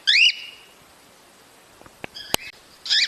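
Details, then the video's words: Cockatiel call played to encourage mating: a loud, rising then falling whistled chirp rich in overtones, then faint clicks and tapping, and a second bright chirp at the end. "تحفيز طيور الكوكتيل على التزاوج بعد سماع هذا المقطع باذن الله"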